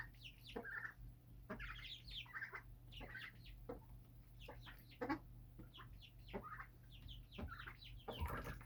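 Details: Birds kept on a house rooftop chatter continuously, with many quick chirps and clicks overlapping almost without pause, plus a faint low hum throughout.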